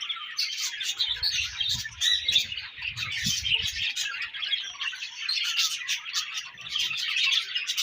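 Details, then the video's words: Breeding-season budgerigars keep up a busy chorus of chattering chirps and warbled notes, with soft low rustling thumps in the first half. "Budgies Breeding Season & Budgies Chirping Sounds"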